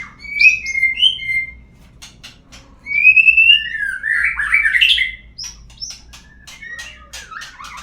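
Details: White-rumped shama song used as a lure to get other birds singing: varied whistled notes, rising and falling slurs and chattering bursts, with quiet gaps and clicking sounds between phrases.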